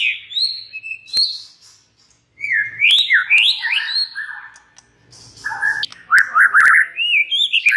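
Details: A white-rumped shama's song, played to make other shamas answer: high whistles and a click, a short gap, then rich rapid warbles jumping in pitch, with a brief harsh note in the later run.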